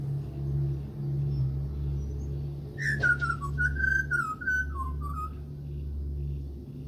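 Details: After a sharp click, an Australian pied butcherbird near a home whistles a rich, warbling phrase of linked sliding notes that gradually descend, then stops, leaving a steady low drone.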